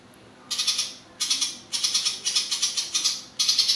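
Ciblek Papua songbird giving a high, buzzy chatter. Quick bursts of rapid notes repeat several times with short pauses in between.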